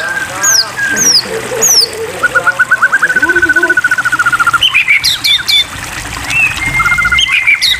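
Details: White-rumped shama song used to coax caged birds into singing: sharp downslurred whistles, a fast rattling trill of repeated notes, then varied clear whistled phrases, over a steady hiss.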